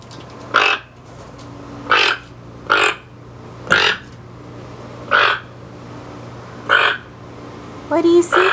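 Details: A captive toco toucan in a quiet room gives its croaking alert call, seven harsh, rasping croaks about half a second long and one to one and a half seconds apart, after sensing something it dislikes, to warn the flock.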